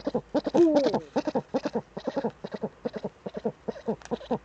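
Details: Eurasian eagle-owl pair sitting together in the nest hollow on a webcam, 6 March 2013; hurried stream of short gruff clucks with a sliding, wavering note near the start, steady chattering throughout.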